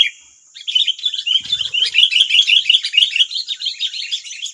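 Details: Wild sooty-headed bulbuls answering a decoy bird in West Lampung, Indonesia: an unbroken, fast stream of shrill, bubbling chirps and squeaky notes from several birds calling together, with a brief low knock in the background.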